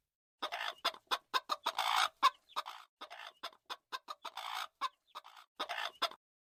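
A rooster gives a rapid run of harsh, squawking clucks in uneven bursts.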